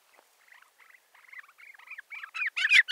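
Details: Rufous-bellied seedsnipe calling: a series of short, mid-pitched, slightly nasal notes that start faint and swell steadily louder over three seconds.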